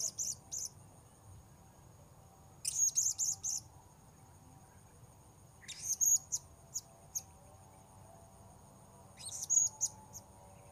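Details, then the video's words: Blue-crowned hanging parrot, called serindit, heard while luring wild birds at a new site. Clusters of rapid shrill high chips come in bursts about every three seconds, with a thin steady insect whine filling the gaps. "Memikat Serindit"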